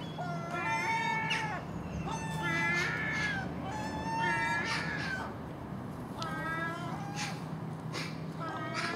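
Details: Racket of common gulls feeding on garbage at dawn with magpie and crow; rapid overlapping nasal mews and yelping cries in bursts, roughly three per second, over low steady hum.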